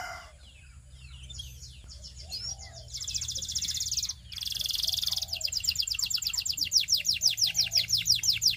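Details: Belgian canary in song to attract other canaries, beginning faint and scratchy, then two buzzy bursts and an even series of rapid sweeping notes rising in loudness.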